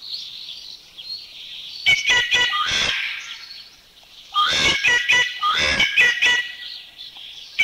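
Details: Rufous treepie from Thailand giving loud harsh, grating calls in two bursts of clipped notes mixed with rattling, chattering phrases, with a quieter whistled sound between bursts.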